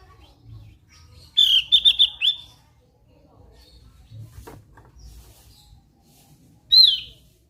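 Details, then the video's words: Javan grey-throated white-eye singing: a rapid run of high trilled chirps, a long quiet pause, then a single loud upward-swept whistle-like note. "SUARA NYENTRIK BURUNG OPIOR JAWA GACOR"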